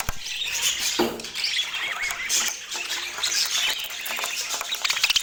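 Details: Kept budgerigars give a dense twittering chorus, with quick squeaky notes, a few clear short whistled phrases, and harsher squawks over a soft fluttering background.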